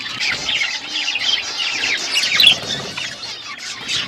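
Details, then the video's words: Pet budgerigars chirping while eating food. Continuous high chattering warble of overlapping chirps and squeaks, steady throughout. "Beautiful budgies parakeet eating food birds chirping sounds"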